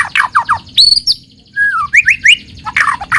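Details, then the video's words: White-rumped shama singing a lure song meant to prompt untrained shamas to sing fast: harsh chattery notes, a rising whistled sweep, a long falling whistle, then three quick slurred upward notes and more rough chatter. "pancingan muraibatu yang efektif untuk murai bahan cepat bunyi | shama bird"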